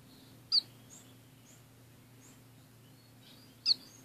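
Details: A caged pair of orange-cheeked waxbills sharing a smaller-than-usual cage with a society finch: two sharp, high, slurred call notes about three seconds apart, with fainter soft chirps between them and a steady low room hum.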